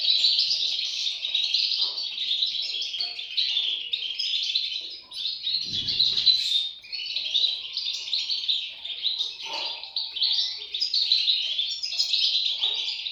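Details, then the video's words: European goldfinch chicks: a dense, unbroken chorus of high, thin twittering and squeaky chirps, overlapping without pause, with a brief low rustle near the middle. "صوت فراخ طائر الحسون"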